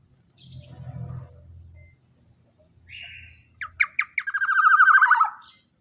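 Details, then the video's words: Long-burst lure sound of a black-naped oriole, meant for training other songbirds: a low hum, a short buzzy note, then four sharp staccato notes that run into a sustained, grating, buzzy rasp sliding gently downward. "Suara Pancingan BURUNG Kepodang Emas TEMBAKAN PANJANG cocok untuk Masteran"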